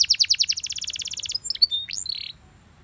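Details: Yellow Belgian canary singing: a fast trill of repeated high notes slowing into separate notes, then a short whistled slur and a buzzy held phrase before fading to quiet.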